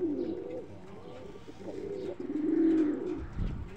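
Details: Purebred Tehran high-flyer pigeon, an Iranian breed, giving low throaty coos. Short rolling phrases build to a longer, stronger coo, ending with a faint rustle.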